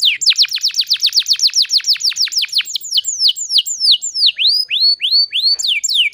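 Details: Canary lure song meant to get silent canaries singing again: a fast series of high descending sweeps, about four per second, slowing into longer upward-curving whistles and ending with more quick downslurs; clean recording.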